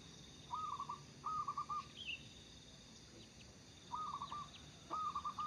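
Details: Zebra dove of local stock, singing vigorously as a lure, gives four rippling phrases of quick, even, soft coos in two pairs. A faint high chirp from another small bird comes between them.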